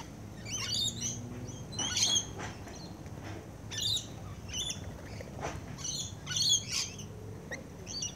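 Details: Feeding rainbow lorikeets up close: sharp, high screeches in separate bursts roughly every second, each a quick buzzy shriek, over a quiet low rumble.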